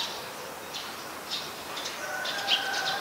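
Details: Eurasian tree sparrow in Ubon Ratchathani, Thailand, on 22 November 2019, giving short, scattered chirps, several in three seconds, with a faint steady hum underneath in the second half.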